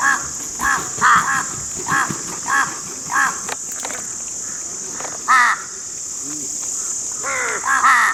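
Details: Repeated harsh crow caws, evenly spaced about every half second, then a louder pair and a final burst of several overlapping caws, with a continuous hiss in the background.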